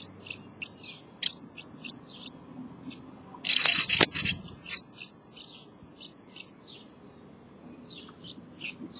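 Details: Nesting house martins chattering: a steady string of short high chirrups, interrupted by a sudden loud burst of noisy scratching, then the twittering resumes.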